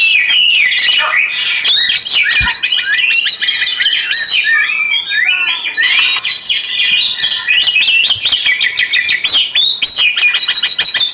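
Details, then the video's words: Oriental magpie-robin song with water flowing nearby: a long, varied stream of whistles, harsh squawks, and dense rapid clicking trills that hardly pause. "Terapi KICAU KACER media Suara Aliran Air"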